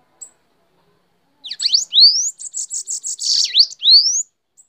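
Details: Bananaquit, called sibite, singing on the hand: a very high song of sharp down-swept notes, rising whistled slurs and a rapid stuttering row of buzzy pulses, ending with another rising whistle; quiet ticks at the edges.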